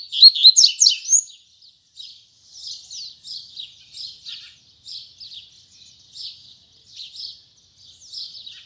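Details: A double-collared seedeater sings its firm 'tui tui zel zel' song in the morning. It starts with a short burst of loud, sharp whistled notes, then follows with a long series of softer scratchy chirps roughly every half second.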